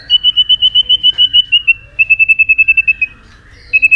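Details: White-rumped shama singing competitively against rivals, a rapid even series of pure whistled notes, about fifteen in a run, slightly falling, then a brief pause and a few more.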